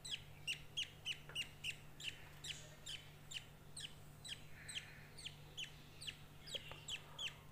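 Budgerigar chicks give rapid, repeated high chirps, begging for food while being hand fed.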